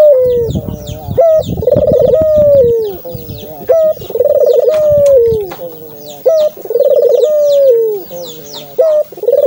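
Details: Repeated dove coos, played to set a kept dove calling: low rolling trilled notes drawn out into long slowly descending tones, four phrases in under ten seconds, over steady high chirping from small birds and some low rumbling at the start.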